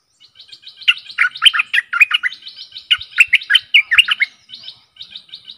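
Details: Decoy song of a Stripe-throated bulbul for luring aggressive wild birds, recorded 12/12/2021: a continuous chatter of bright gurgled notes in two dense runs, framed by faint high twittering.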